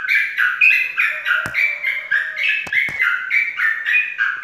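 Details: A prize-winning competition sooty-headed bulbul (trucukan) pours out a fast, bubbly stream of liquid chattering phrases without pause, broken by a few sharp clicks.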